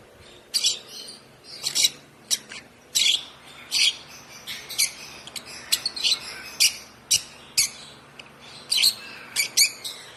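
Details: Hand-fed one-month-old African lovebird chick, fed by hand from two weeks of age, producing a steady stream of about twenty sharp, high chirps, some paired closely, over ten seconds with little else audible.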